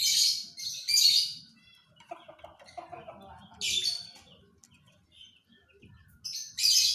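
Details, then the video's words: Panda canary producing bursts of high, dense chirping song, with quieter scratchy twitters between phrases and faint low background noise. "KICAU KENARI PANDA"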